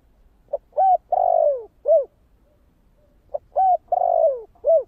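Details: Spotted dove cooing in the thổ kích bổi style, two phrases close together. Each phrase has a brief opening note, a steady coo, a long descending coo and a short rounded closing coo. No other sounds stand out.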